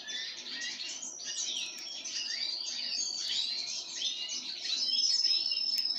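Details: Pine grosbeak being fed sunflower seeds, giving rapid, steady chirping with thin whistled notes, rising and falling, about three to four per second and growing slightly louder toward the end.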